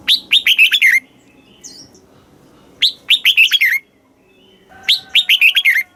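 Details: Caged red-whiskered bulbul from Thailand singing southern master-style song used to excite birds and train young ones: three bright phrases of rapid falling whistled notes, each about a second long, spaced roughly two seconds apart, with quiet chirps between.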